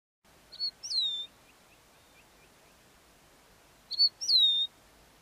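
A lark gives two clear whistled calls about three seconds apart, each a short high note followed by a slurred, descending whistle.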